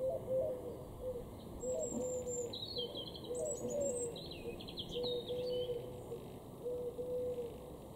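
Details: Wood pigeon (Columba palumbus) in a garden in Norden, East Frisia, northwest Germany, April 2023, gives soft, low hooting coos in short phrases every one to two seconds, with higher chirps and trills from other garden birds above.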